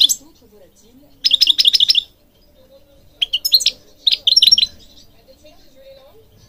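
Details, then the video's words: European goldfinch singing in three distinct bursts: a rapid string of about eight bright, clipped tinkling notes, a shorter twittering phrase, then another quick run of liquid chirps, separated by near-silent gaps. "Singing Goldfinch King goldfinch singing"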